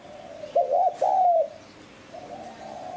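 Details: A single strong spotted dove phrase, used to lure wild doves: a quick two-note stutter, then a sustained mellow coo, trailing into a fainter distant coo against a quiet noisy background.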